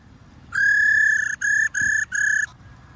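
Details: A female white-cheeked laughingthrush (Pterorhinus vassali) gives a rolling call that stirs males to sing: a steady, rolling whistle, one long note then three shorter ones at the same pitch, over faint background hum.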